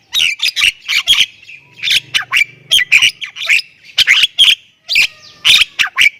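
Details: Energetic gacor song of a Javan myna, Thailand type: grating squawks alternating with thin whistled accents in quick clusters of two or three notes, with short gaps between clusters and a faint low hum underneath.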